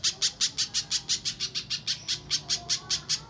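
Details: Sharp, high chips from a little spiderhunter lure recording meant to set untrained birds singing. The notes repeat evenly, roughly every third of a second, with nothing else audible.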